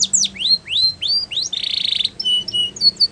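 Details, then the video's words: Spanish Timbrado canary training song with rising slurred whistles, a sustained buzzy rattle, then short clipped high notes, clear and loud. "Canary's Most Powerful Song For Training"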